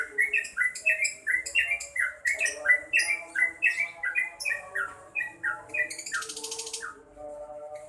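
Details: Vocal yellow-vented bulbul giving a lively chattering song of short slurred notes repeated more than once per second, with a burst of hissing noise near the end over a constant low hum.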